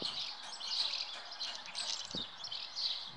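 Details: At their nest, common house martins (Delichon urbicum) give near-continuous high, rasping chirrups that rise and fall in short bursts, with faint low background noise.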